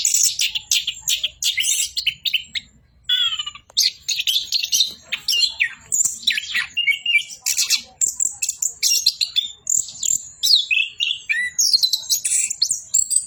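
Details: Continuous 'bocor' song from an orange-headed thrush: rapid, shifting phrases of bright twitters, slurred whistles and buzzy trills run together for over thirteen seconds with a short pause near three seconds.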